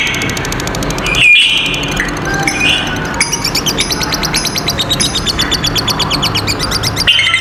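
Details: Two lovebirds giving a long ngekek trill, used as tutor song for young lovebirds and ones that have stopped singing; a rapid high buzzy rattle runs through the second half after scattered sharp chirps, with a steady background hum.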